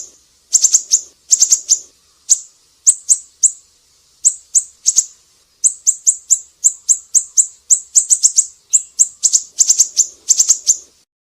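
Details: Black-naped Monarch in full voice, used as tutor audio for songbirds: bright, very high-pitched chip notes in tight clusters, with a brief pause early on and then a near-continuous rapid series toward the end.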